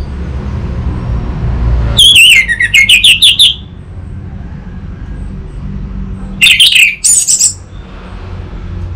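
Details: Orange-headed thrush song used as a lure and master recording for an untrained bird, from Singaraja, North Bali: two bursts of loud, shrill warbled notes sweeping between high pitches, with a gap between, over low traffic-like rumble.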